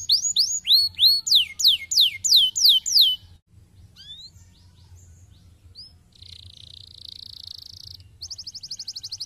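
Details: Canary song used to stimulate lazy canaries: about eight loud rhythmic hooked whistled phrases, a near-silent pause with a few soft notes, then a hissing buzz and a rapid rattling trill.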